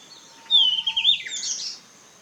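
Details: Yellow-rumped flycatcher singing on Hallasan, South Korea: a loud, rich warbled phrase of slurred whistles that starts clear, then breaks into a fast, higher jumbled flourish before stopping. Background is quiet.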